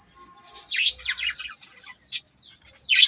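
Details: Budgies chattering, with sharp downward-sweeping chirps repeated irregularly and a loud harsh note at the end, over a thin continuous high tone.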